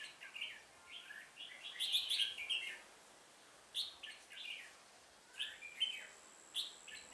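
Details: Red-whiskered bulbul used as a decoy during trapping on 1 October 2018, singing to provoke wild rivals: bright warbled phrases of quick slurred notes, rising and falling, in bursts with short pauses, a thin steady tone running beneath.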